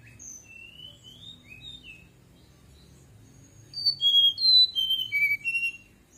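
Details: Night song of a fulvous-chested jungle flycatcher, played to coax kept birds into replying: quiet slurred whistles fade to near silence, then a bright burst of sharp descending whistled notes near the end, with faint low background hum.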